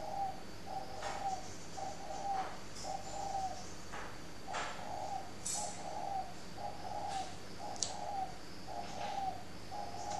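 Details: Lure spotted dove from a breeding garden in Ba Vì district, Hanoi, northern Vietnam, cooing in a steady series of short, mellow hooted notes about once a second, with a few sharp clicks and knocks in between.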